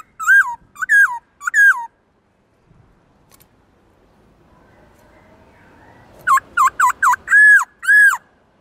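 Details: Captive black-throated laughingthrush singing a varied, forest-style repertoire meant to stimulate newly caught birds: three quick warbling whistles, a quiet stretch with faint background rustle, then a fast run of bright whistled notes ending in two longer slurs.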